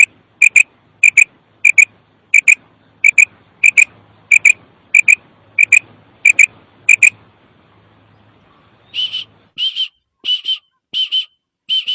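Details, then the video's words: A female common quail gives its "kirk" call: about a dozen sharp, high double notes at a steady pace, then, after a short pause, five harsher, buzzier notes. "Female quail voice|batairi ki awaz | kirk |مادہ بٹیر کی آواز|بٹیری کی کرک"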